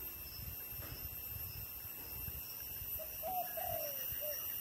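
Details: Dove coo in the thổ đồng style arriving after three seconds of low hum: soft lead note, stressed double hoot, a long gently falling drawl, and a short closing coo.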